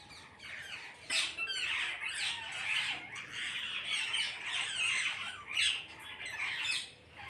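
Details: A flock of parrots calls together, with harsh, overlapping squawks and screeches that rise and fall in loudness in an almost continuous chorus.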